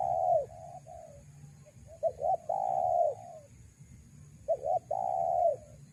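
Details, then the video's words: Cooing of a spotted dove used to draw in wild doves: paired quick notes then a long strong coo, heard three times with softer coos between, over a low steady hum. "Pikat ajaran ola4r4g4 // sampai BL mundur"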